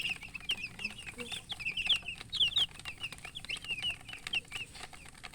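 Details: Newly hatched chicken chicks peeping loudly: many short high chirps, some rising and some falling, in a steady irregular stream, with faint clicks and background rustle.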